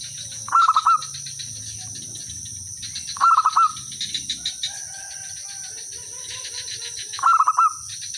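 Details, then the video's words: Local zebra dove singing persistently, used to lure other birds into answering; three quick trilled coo bursts spaced about three seconds apart, with faint softer calls between and a steady high hiss throughout. "suara merbok kampung/perkutut lokal gacor manggung jadi pikat pancingan semua jadi nyaut"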